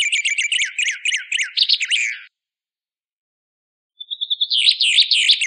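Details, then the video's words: White singer in a training recording: a rapid, busy warble of twittering and slurred high notes, a silent break of almost two seconds, then a thin rising whistle that leads into more quick chattering song. "Masteran Burung White Singer"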